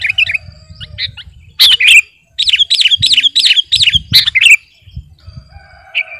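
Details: Sooty-headed bulbul of the kutilang garuda kind, master song for luring; a quick series of about ten bright, bouncing chirps, then a single note after a pause, low background rumble.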